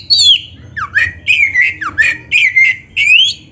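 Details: Oriental magpie-robin (kacer) with a black breast, recorded as training material for caged birds: loud, clear whistled notes, some swooping down, others sliding up, delivered in a quick, uneven sequence.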